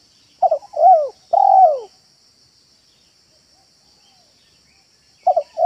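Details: Spotted dove trained as a caller, cooing in a yard to lure others. One phrase of stuttered short notes followed by two smooth arched coos, then silence and the start of the next phrase. A constant high hum persists.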